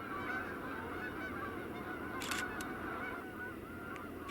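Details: Large flock of geese honking continuously in an overlapping nasal chorus, with brief clicks and handling noises, heard in mid-November along the Mississippi River in Allamakee County, Iowa, near trees holding large birds, possibly bald eagles.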